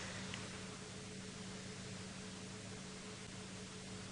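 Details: Steady broadband hiss with a low electrical hum and no animal voices.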